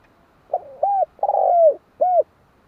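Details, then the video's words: One mellow cooing phrase from a spotted dove: a brief soft note, an arched coo, a prolonged burry coo sliding down, and a short clipped coo to finish, with little else audible. "Tiếng chim cu"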